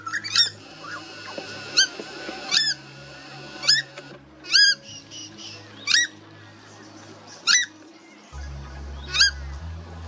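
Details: A family of purple swamphens in Australia, 10 March 2021, gives loud, nasal, bending screeches every one to two seconds, alarming their teenage chicks about a red-bellied black snake, over a low steady hum.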